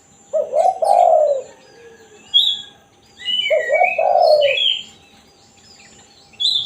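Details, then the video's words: Spotted dove in the one-kuk (kuk satu) style, used as a lure call for wild doves: two slurred, hollow coo bursts about three seconds apart, with small birds chirping and twittering higher over them. "Burung tekukur /kukur kuk 1(satu) suara asli"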